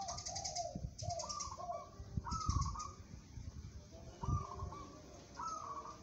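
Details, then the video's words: A local zebra dove of the contest type gives staccato trilled coos. Each phrase steps from a high rolling note down to lower pulsed notes, separated by brief pauses, with low thumps in the background. "perkutut lokal bermental baja, cocok buat lomba"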